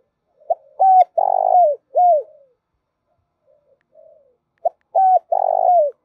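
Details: A spotted dove coos a phrase of short hoarse coos ending in a longer drawn-out 'crooo', repeated after a pause. It is used as a lure call for trappers to provoke males and females.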